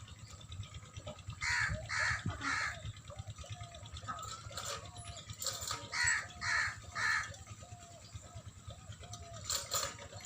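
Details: White domestic geese on a farm, content in water, give harsh nasal honks in three short bursts of two or three calls each, over a steady repeated low mechanical-sounding hum.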